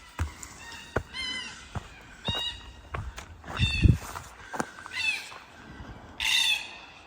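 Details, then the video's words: Cockatoos flying around in forest near Jarrahdale give harsh, raspy screeches, about five spaced out, probably alerting others to a walker; footsteps and scuffing sound on the track. "Screeching you can hear in the background are the cockatoos. Flying around,"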